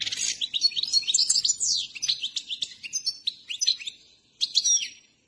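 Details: Himalayan saira, a trained European goldfinch, delivering quick liquid twittering with sliding whistled notes and chirps, tailing off near the end, then a final short burst of bright twitter.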